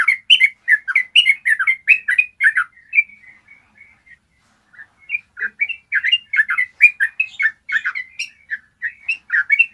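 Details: Long clear ropel of a Yellow-vented bulbul, a master recording to coax other bulbuls into trilling: rapid chirpy notes tumble for nearly three seconds, a soft pause follows, then the bubbling run resumes and carries to the end.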